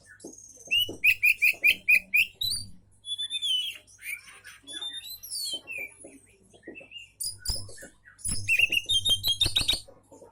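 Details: Oriental magpie-robin song meant to draw replies from other magpie-robins: a run of repeated sharp whistled notes, then twisting high slurs and dense rapid trills, with low knocking sounds.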